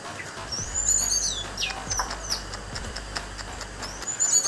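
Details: Orange-headed thrush, a kept songbird from Banjarnegara, Indonesia, singing high, clear whistled phrases with quick rising and falling sweeps, separated by brief pauses, over a low steady background hum.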